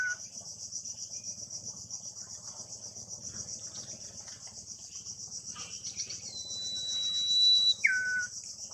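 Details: Near its nest in the wild, a common iora gives one song phrase late on: a long, even, high whistle followed by a short, lower, downward-sliding note. A shrill, rhythmic insect chorus dominates the background.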